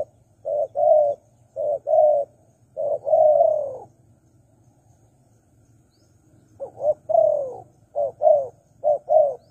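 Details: Spotted dove cooing, used to lure wild doves: soft low coo phrases of two to three notes, a longer trailing coo, a two-second pause, then a fresh burst of quicker coos; faint hum underneath.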